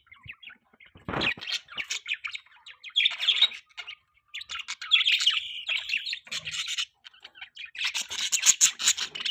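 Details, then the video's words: Budgerigars chattering in the morning, bursts of warbled chirps and squeaky squawks separated by short pauses, with a sharp click near the start. "Morning time beautiful budgie bird sounds|cute birds chirping sound"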